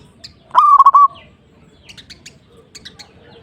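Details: Zebra dove, a perkutut singing to provoke a rival: one loud burst of low quavering coos with a few pulsed notes, followed by faint chirping of other small birds and low background rumble.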